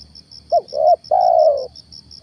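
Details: Spotted dove kept as a decoy to lure a wild stammering spotted dove, recorded in the morning: a quick double note then one long, smooth coo, with a regular, rapid high ticking throughout.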